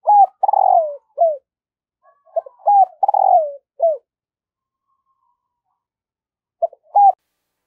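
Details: Morning cooing of a decoy spotted dove luring wild birds. Two loud phrases of short clipped coos, each with a drawn-out falling coo, then a pause and a brief quiet start of another phrase.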